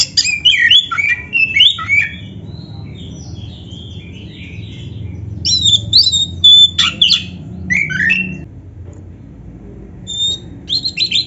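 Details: Oriental magpie-robin, black-breasted form, singing to prompt caged birds; bursts of twisting whistles and harsh rasps, a quieter soft warbling stretch in the middle, then scattered sharp notes with pauses.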